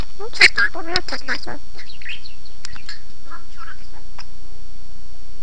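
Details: Armenian-speaking parrot letting out a quick cluster of raspy, speech-like chatter that trails off into softer, scattered murmured syllables, indoors with a low background hum.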